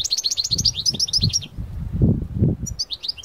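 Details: Goldfinch of parva stock singing outdoors: a fast string of high, tinkling twitters for over a second, a pause filled with low thumping rumble, then the twittering resumes.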